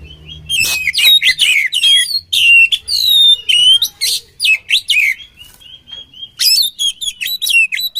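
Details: Oriental magpie-robin, sung as training material for other birds: long, energetic string of varied whistles, buzzy rattles and rising and falling slurred notes, with a softer stretch of thin whistles before a fresh loud burst.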